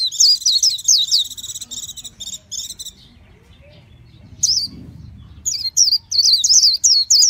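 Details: Japanese white-eye mixing buzzy, rattling chatter with bright slurred whistles; after a quiet gap with a faint low rumble, a rapid high warble resumes.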